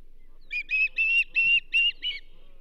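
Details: At the Charlo nest, an osprey greets a whitefish delivery to the banded female on 27 April 2024 with six clear, shrill whistled yelps. A short silence comes first, then the notes run in a quick, even row.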